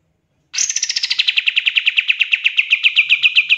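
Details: Fast bursting song of a pied triller used to train songbirds: a steady run of sharp repeated notes, quick at first and then slightly slower, continuing for about three seconds without a break.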